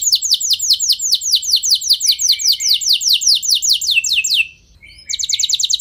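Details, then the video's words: Singing canary meant to encourage other canaries to sing long rolls: steady series of high, downward-sweeping notes, about ten per second, a short gap, then a fast trill starts again. "Ampuh Buat Merangsang Emosi Burung Kenari Lain Biar Gacor Ikut Ngeroll Panjang"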